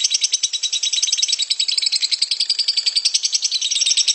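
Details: Lovebird delivering a harsh, prolonged ngekek, a rapid string of high, scratchy chattering notes at a steady fast pace.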